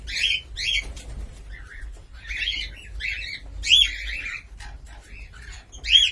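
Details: Cockatiel making scattered whistled and chirping calls, some bending upward then down, in irregular clusters with short quiet pauses between them.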